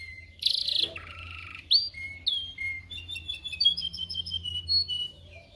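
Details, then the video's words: Canary song meant for training canaries to sing: a burst of harsh notes, then clear whistled tones and a quick warbling passage of bright chirps, with a low hum underneath. "Canary training 0.25 Hour canario canary song"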